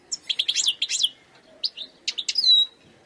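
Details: Wild European goldfinch giving short phrases of bright twittering chirps and slurred notes, a brief pause, then a few more notes ending in a drawn-out whistle.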